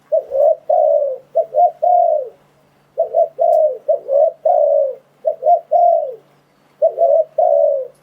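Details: Spotted dove cooing used as a trapping lure for wild doves; repeated phrases of two quick clipped notes and a drawn-out, slightly falling coo, delivered in four even groups.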